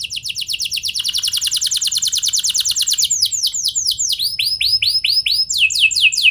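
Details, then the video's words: Lure song of a canary meant to set other canaries singing: a rapid, even rolling trill for about three seconds, then slower, widely spaced downswept whistled notes. "Pancingan Ampuh Bikin Kenari Lain Bakal Ikut Gacor Do0r Dengan Pancingan Ini! Langsung Nyaut Ngeroll"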